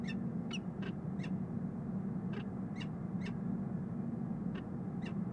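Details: On the Rhodes Tower in Columbus, Ohio, March 9, 2015, a peregrine falcon pair bonds inside a nest box filmed by nest camera; about ten short, crisp chupping notes in loose series, with a gap midway, against droning low traffic-like noise.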